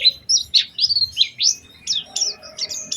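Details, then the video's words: Short burst of Oriental white-eye lure song with a special style: sweet slurred whistles rising and falling, followed by clipped, bright chirps in quick succession. "Pancingan Burung Pleci Gacor Cengkok Istimewa"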